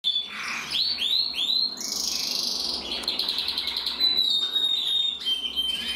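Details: Male canary of the red mosaic isabel colour form, bred in 2024, singing: sweeping slurred whistles and rapid buzzy trills, then a long steady high rattle and clear whistled notes, continuous with no pauses.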